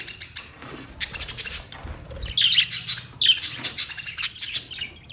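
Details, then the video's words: Budgies chattering in a colony setup, fast trilling, scratchy chirps in two dense bursts separated by a brief quieter gap, with a faint low hum underneath. "Budgies Parrot colony Parrot colony setup Parrot Talking Parrot video Parrot chirping sound"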